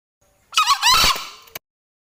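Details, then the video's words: Male Green junglefowl giving a single short crow, about one second long: a harsh, hoarse burst with a rising then falling wavering tone, ending in a faint click; quiet before and after. "Suara ayam hutan jantan || Green junglefowl"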